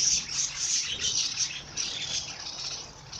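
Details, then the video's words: Bird song: a dense, unbroken stream of high squeaky chirps and trills, rapid and somewhat irregular throughout the short stretch. "Bird sing song madár ének"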